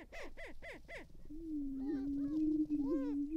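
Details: On a restored northwest Minnesota prairie lek in April 2019, greater prairie-chickens give four loud, evenly spaced cackling barks, then a low steady booming drone with a few soft whoops above.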